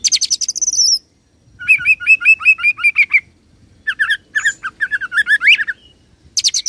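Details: Oriental magpie-robin singing in the roll style, linking cililin and serindit imitations: a dense high buzzy burst, a pause, then a rapid run of upslurred whistled notes and scratchy twitters, ending in another buzzy burst.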